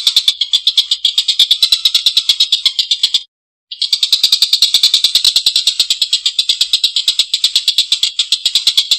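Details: Long, rough laughing call of a collared kingfisher. A steady train of coarse, grating notes runs about three per second, broken by one short clean gap, then continues unchanged to the end.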